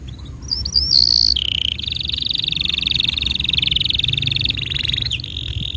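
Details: Training song for young canaries and non-singing canaries: a few thin whistles and a bright buzzy note, then a long, even, rapidly pulsed high roll held for several seconds.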